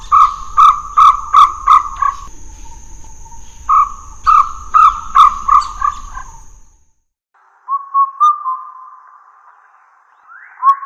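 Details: Bird giving a fast run of short, hollow, even-pitched notes, a brief pause, then a second run. After a silence comes a drawn-out steady whistle and a quick rising note.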